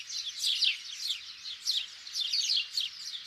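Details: House sparrows chirp in a busy, overlapping chatter: bright, high cheeps tumbling several times a second, with no pause throughout.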